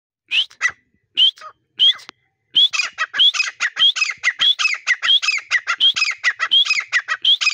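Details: Grey partridge calling in breeding season: a few opening notes, then a fast rhythmic run of harsh, chattering phrases. Each phrase starts with a rising whistle and is followed by lower grating notes, repeated steadily without pause.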